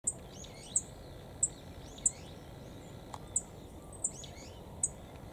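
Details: Black-faced bunting calling under a cold sky at Kitamoto Nature Observation Park, Japan. It gives thin, very high 'tsip' notes every half to three-quarters of a second over soft outdoor hiss, with faint distant birds.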